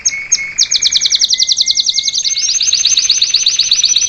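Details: Live salsa canary tutoring its young bird: soft low whistled notes beneath a quick, bright trill of high descending notes that runs on steadily.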